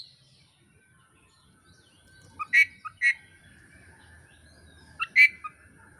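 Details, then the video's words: Oriental magpie-robin (kacer), Indonesian keepers' training recording: a few loud, harsh, clicking notes in two pairs about two and a half seconds apart, with a faint steady tone between them. "kacer gacor materi komplit"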